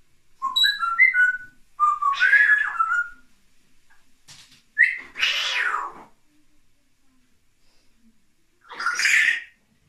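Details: Pet grey parrot indoors with a hen, on the morning of 24 December 2019, imitating burps: a run of short clear whistled notes stepping up and down, then harsh raspy bursts near two, five and nine seconds with quiet gaps.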